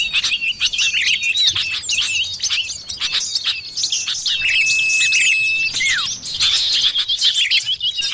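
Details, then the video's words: Common iora lure call used to draw forest birds: a long, level drawn-out whistle and a falling note, set among dense, fast high chirping and chattering from several birds. "suara pikat burung sirtu / cipoh"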